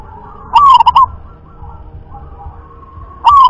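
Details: Zebra dove, local rhythm-class (irama) bird, sings a loud rolling coo of rapid pulsed notes, then a quiet stretch with faint distant cooing before the next phrase begins.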